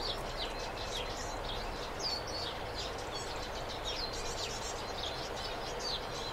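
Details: A pair of European greenfinches, male and female, give a steady stream of short, high chirps and twittering notes, several each second, over a constant background hiss.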